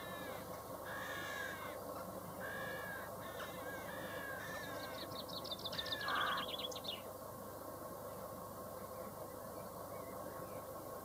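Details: Chaffinch song of chirped introductory notes leading into a rapid, descending run of repeated notes with an upward flick at the end. A quiet stretch of background hum follows.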